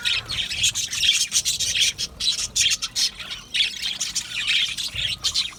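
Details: Budgies in an aviary colony chatter in pulsing bursts of shrill chirps and squeaks, roughly two or three bursts a second, over a continuous twittering background.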